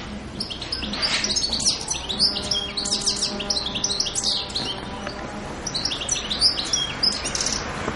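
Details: On the Italian island of Pantelleria in winter, a European goldfinch gives a lively, jangling song of quick high twitters and short buzzy trills in rapid bursts, with a soft low hum behind.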